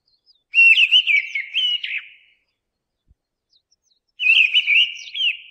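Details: Mistle thrush song: two loud, fluty warbled phrases, each about one and a half seconds long, split by a silent pause of nearly two seconds, with no other sounds.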